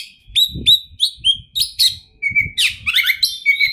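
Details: Oriental magpie-robin (kacer), a champion singer with a rich repertoire, delivers repeated clear whistled notes followed by tangled harsh chattering sweeps; soft low thumping sounds run underneath.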